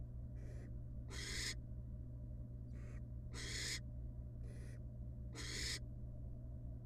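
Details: Wild barn owl in a research nest box rejoining her babies after bringing up a pellet; paired hisses repeat three times, each a short softer rasp followed by a louder, longer breathy screech.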